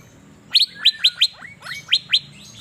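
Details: Asian fairy-bluebird singing loudly while set out to sunbathe in Banjarmasin: a run of seven sharp, bright notes, each sliding steeply downward, given in quick pairs and singles. Quiet low background hum.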